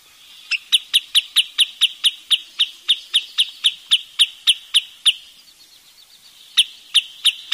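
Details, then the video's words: Wood sandpiper repeating sharp, piercing high notes in a rapid, regular chain of some twenty calls, a short quiet gap, then four more chips resuming the same beat. "เสียงนกชายเลนน้ำจืด Wood Sandpiper Sound"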